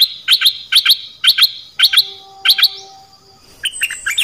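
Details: Song played to train and excite young birds: sharp paired chirps repeated roughly every half second, a steady faint tone behind them, then a looser twittering phrase at the end.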